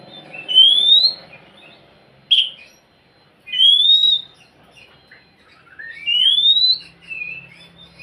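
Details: Oriental magpie-robin song to encourage a quiet bird, with loud rising whistled phrases about every two seconds, a sharp chip between them and soft low hum.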